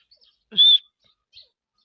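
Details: Female grey francolin, a teetar of the Taunsa dakni type, gives a single loud, piercing whistled note with a steady high pitch, followed by a faint short squeak.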